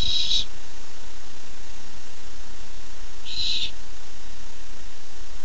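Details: Barn owl owlet on a nest camera, excited to get a treat, giving two brief harsh hissing screeches about three seconds apart over steady low background hum.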